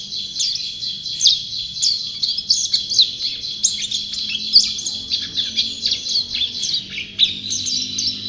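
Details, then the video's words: Prize-winning white-eye singing energetically, pouring out rapid high-pitched twitters and sharp chirps in an unbroken jumble, with bright accented notes about every second over a steady high background tone. "Burung Pleci Juara Gacor"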